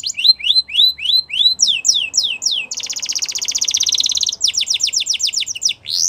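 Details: Canary song used to prompt canaries to sing. Repeated rising chirps lead into steep descending notes, then a long buzzing rattle, then more falling sweeps in quick succession.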